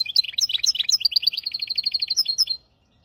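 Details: High, rapid twittering from a hybrid finch singing as a tutor for goldfinches and canaries, a string of quick repeated clipped notes lasting about two and a half seconds before ending abruptly.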